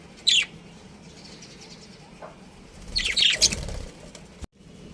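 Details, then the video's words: Breeding pair of pet budgerigars: one sharp high chirp, then a burst of scratchy chattering chirps with some rustling and thumping underneath. "Budgies Chirping Sounds"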